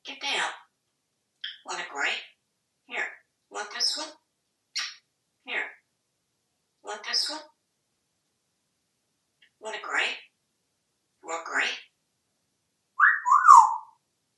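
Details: Talkative pet African grey parrot living indoors in Texas, uttering a string of short speech-like words with pauses between them, ending in a loud, harsh squawk.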